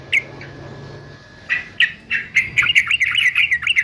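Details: Male yellow-vented bulbul of the 'fighter' type, used for singing training: a few isolated chirps, then a rapid run of bubbly, warbled notes near the same pitch from midway on.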